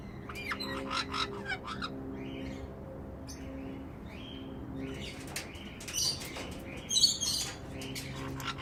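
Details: Black-headed caique parrot in an aviary in Brisbane, Australia, 2016, eating passionfruit: short harsh chirps and squeaky notes in scattered bursts, with clicks, rustling and a steady low hum in the background.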